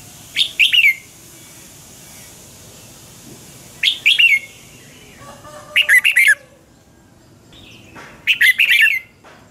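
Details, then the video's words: Morning song of a Red-whiskered bulbul, the double-twist voice style, recorded as a lure for training other birds: four short warbled phrases spaced roughly two seconds apart, each a quick cluster of bright slurred notes over faint background hiss. "Luyện chào mào hót sáng 2020 chào mào giọng xoắn kép Quá hay"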